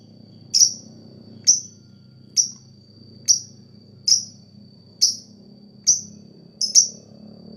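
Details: Lovebird sound used as therapy to stimulate other lovebirds into their long ngekek chatter: sharp, high ticking chirps repeated about once a second over a faint steady high tone and low background hum.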